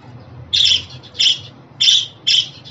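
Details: Budgerigar calling sounds for pet budgies: four buzzy, harsh squawks about every half second, over a soft low hum.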